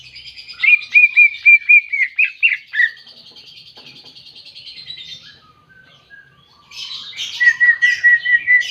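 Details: Greater green leafbird singing while seeking a rival: a lively run of clear, steady whistles with a rapid chattering trill above, a short pause, then a burst of varied notes ending in a long, level whistle.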